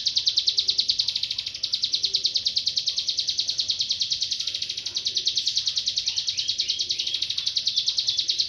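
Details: Bar-winged prinia, singing tirelessly, used to tutor songbirds; high, rapid ticking trill running continuously, with short descending chirps mixed in after the middle.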